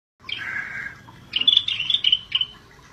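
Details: Scaly-breasted bulbul singing in lively 'gacor' fashion: a drawn-out, slightly falling whistled note, a short pause, then a bright run of quick, higher warbled notes and chirps. Quiet background.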